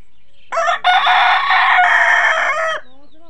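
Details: A Kadaknath rooster at a poultry farm gives one loud, harsh crow of about two seconds, with a short opening note, then a sustained strained phrase that drops away at the end.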